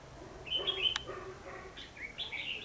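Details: Red-whiskered bulbul giving its fighting song as a trapping lure, 14 December 2015: clear high whistled notes, a sharp click, then a rising, slurred warbled phrase.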